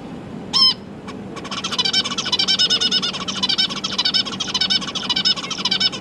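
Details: Newly hatched zebra finch chicks begging while their parents feed them, kept with juvenile siblings; a brief nasal call, then continuous fast buzzy harmonic begging notes, nearly two per second, over a low background hum.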